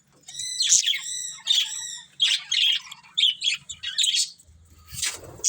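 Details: Pet budgerigars, a breeding pair, giving a run of harmonic chirps and squawky notes in short bursts, each roughly half a second long, with brief pauses between them, followed by a noisy rasp at the end.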